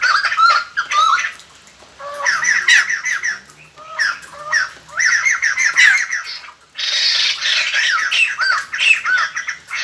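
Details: White-crested laughingthrush song used as a lure for wild birds: repeated loud bursts of fast, harsh, warbling chatter separated by short pauses, with a broad noisy outburst near the end.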